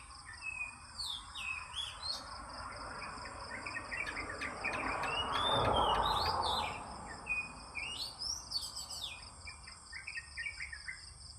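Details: Oriental magpie-robin song in the morning: scattered whistled notes and flourishes, partly drowned by a swell of rushing noise midway, with a steady high insect buzz throughout.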